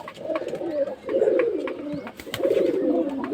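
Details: Pigeons in a romantic courting moment: soft, low rolling coos in rising-and-falling phrases of about a second, repeated with short pauses, plus faint clicks and rustles.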